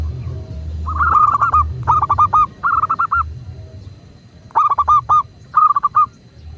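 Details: Singing zebra dove, local type, used to prompt caged doves to call: five short phrases of three to five clipped, ringing coos, spaced irregularly over a soft low hum.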